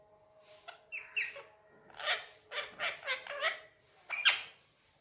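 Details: Indian ringneck parakeet pet speaking Urdu/Hindi on a tabletop indoors: a couple of high squeaky notes, then a row of throaty, speech-like syllables ending in one sharp, loud squawk.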